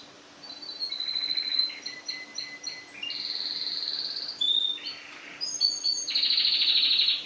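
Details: Canary in a vertical song-learning arrangement, tutor positioned beneath: a series of high whistled phrases, short chirps and a dense buzzy trill at the end, against a faint steady low hum.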